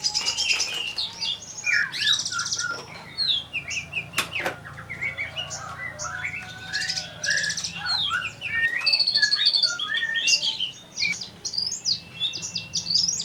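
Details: Energetic kolibri ninja sunbird song: long, varied sequence of high chattering twitters, quick upslurred whistles and buzzy trills, nearly continuous with short breaks, plus one sharp knock.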